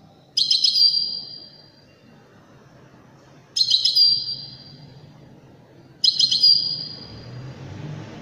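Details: European goldfinch, Widani type, singing three evenly spaced phrases about three seconds apart. Each is a stuttering, bright opening followed by a drawn-out ringing tone. A low rumble rises near the end.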